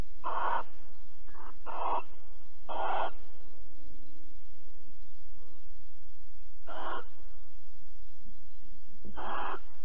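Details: Barn owl pair at Alphen, 22 April 2020, 21:37, during mating and cuddling: three rasping hisses close together, a pause of several seconds, then two more harsh screeches, over low steady hum.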